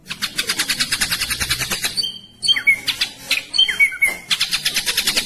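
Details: Caged ashy drongo giving a dense "roll tembak" performance: steady fast harsh ticking rolls, a brief break, then ringing whistled slurs before the rapid rattle resumes.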